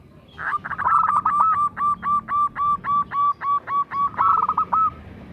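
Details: Local zebra dove, an eager singer used as a decoy to coax other zebra doves into song: a rolling trill opens a steady series of short, bell-like coos, about four per second, ending in another trill.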